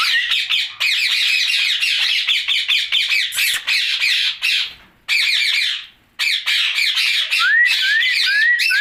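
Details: Ringneck parakeet calling at night: dense runs of rapid, harsh squawking chatter, broken by two short silences, ending with a few clear upslurred whistles.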